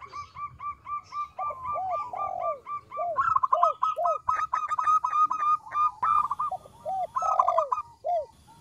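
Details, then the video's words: Zebra dove, a local bird, in lively song used to lure wild doves: rapid runs of short, ringing notes woven with soft bowed coos that rise and fall, with the rattling phrases repeating almost without a break. "PERKUTUT LOKAL GACOR suara kecil - CEPAT RESPON LANGSUNG NYAUT"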